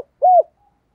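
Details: Single soft, hollow coo of a spotted dove, a lure call for wild doves in the 'thúc gù' style, steady in pitch and about a fifth of a second long, with no other sounds.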